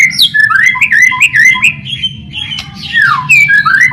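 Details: Lure recording of white-rumped shama song to prompt shamas to sing: rapid warbling whistled phrases, rising and falling, with quick repeated notes and sweeping slurs.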